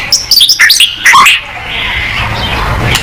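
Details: Short burst of white-rumped shama song, meant to get other shamas singing: a quick string of descending whistled notes with a brief trill lasting just over a second, followed by steady background hiss.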